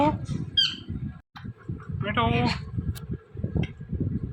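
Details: Indian ringneck parakeet talking: a few harmonic word-like calls and a short buzzy squawk-like phrase amid heavy low-pitched background noise and clatter.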